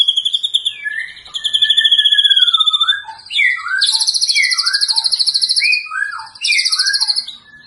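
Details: White-rumped shama song used as tutor material to train other birds; rich, varied phrases of clear whistles, sliding notes and fast buzzy trills, delivered continuously and loudly with no other sounds.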